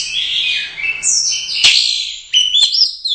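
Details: Prize-winning competition orange-headed thrush, Royal Cup champion, delivering gacor teler doyong song: a dense, shimmering stream of high whistles, an abrupt click, then quick rising and falling whistled fragments.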